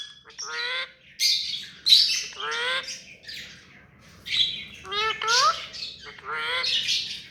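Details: Hand-tame rose-ringed parakeet talking clearly: a run of rich, harmonic, speech-like syllables with rising and falling inflections, mixed with raspy high squawks, in several phrases.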